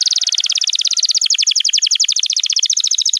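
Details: Canary song for training juveniles: a continuous fast rattling trill of high notes, repeated steadily for about three seconds.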